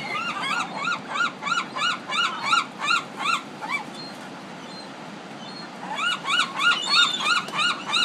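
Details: Gulls described as Pacific city gulls give a rapid series of harsh, arched, nasal notes, about three per second, then pause briefly before the series resumes at the same pace.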